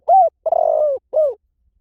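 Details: Single spotted dove phrase: a short arched coo, a longer vibrating purred coo, then a downward-sliding final coo, all low and mellow.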